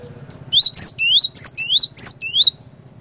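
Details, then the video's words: Singing cinereous tit, used as a trigger to set other tits calling: seven clear, rising whistled notes in quick, even succession, loud and ringing over a faint low hum. "PANCINGAN BURUNG GLATIK BATU GACOR INI ASLI BIKIN GLATIK BATU LAIN LANGSUNG IKUT BUNYI"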